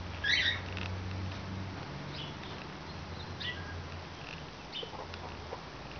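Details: A sharp, harsh, warbled call from cockatiels, one a half-sider, opens this 6 March 2012 recording, followed by faint scattered chirps and a constant low electrical hum.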